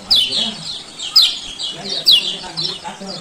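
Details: Lombok male lemon-bellied white-eye giving 'ciak ciak' calls, a lure to make silent birds open their beaks; three loud downslurred chirp bursts about a second apart over softer twittering.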